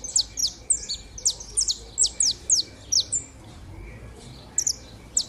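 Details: Saffron finch pair warming up, delivering a rapid series of shrill, downward-slurred chirps for about three seconds, then a pause before a few more high notes.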